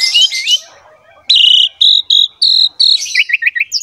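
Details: Varied song of a captive Asian pied starling, played to coax lazy birds into singing: shrill mixed notes, a series of clear steady whistles, then quick rising and falling chirps.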